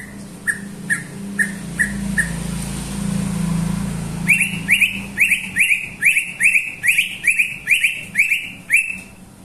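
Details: Greater green leafbird singing: a few soft short whistled notes at first over low rumbling background noise, then a fast series of loud, rising, slurred whistles repeated about every half second.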